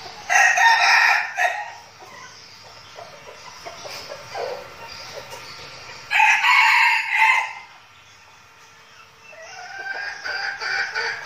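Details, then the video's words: Red junglefowl decoy birds practising in Bình Phước, Vietnam, ahead of trips to the forest. Loud, coarse crows sound at the start, midway and near the end, several seconds apart, with quieter rustling and clucking between them. "Bầy gà rừng mồi tập luyện chuẩn bị đi rừng giao lưu"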